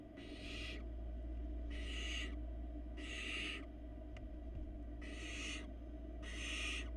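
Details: Four barn owl nestlings on a Florida nest camera, fed by their mother, give harsh broadband hissing screeches in five bursts roughly every 1.3 seconds, over a steady low hum.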